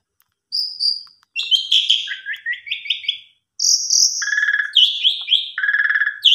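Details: Asian pied starling in full, energetic song, used as a lure to spur quieter starlings into singing and showing its learned repertoire; bright whistled notes, then a run of short rising buzzy chirps, followed by long steady whistles and rapid trills.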